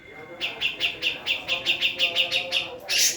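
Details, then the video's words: Female black-throated laughingthrush of the Javan form uttering a steady run of sharp repeated chips after a quiet start. A sudden harsh noise ends the sequence. "Cucak Jenggot Jawa Betina"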